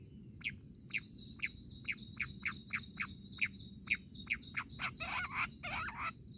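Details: Jungle bush quail calling in a quail-hunting setting: short sharp chirps repeated about every half second, growing into a denser overlapping chatter near the end, over a thin high trill and a low background hum.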